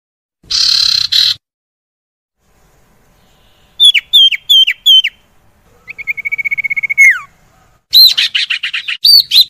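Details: Varied song of a common iora, played to coax reluctant caged birds into singing. A short noisy burst, a run of four sharp down-slurred chirps, a rapid even trill ending in a falling note, then clustered high chirps.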